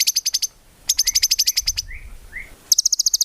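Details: White-rumped shama in full, active song, rich in fill-in phrases and without ngukluk notes, used as a training recording for songbirds: fast bursts of sharp high ticking notes, broken by two short rising slurred whistles.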